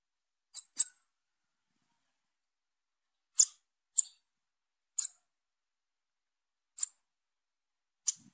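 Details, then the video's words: Young female bananaquit calling: thin, very high, sharp chips, singly or in quick pairs, spaced a second or two apart against near silence. "FÊMEA DE SIBITE NOVINHA CHAMANDO"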